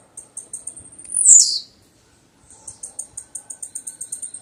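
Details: Blue-black grassquit: a fast series of thin, high ticking notes, then one loud buzzy note that sweeps sharply downward, a short pause, and another even run of high ticks.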